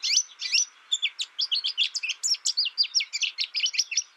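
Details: Quick, even run of high chirping notes from an American goldfinch, several per second, with a faint hiss behind the bird throughout.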